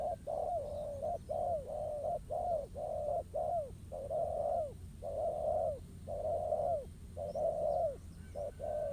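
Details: Wild male spotted dove answering a decoy bird at a ground trap: a long series of mellow, low coos alternating short and long notes, some ending with a falling slur, with faint high chirps from other birds.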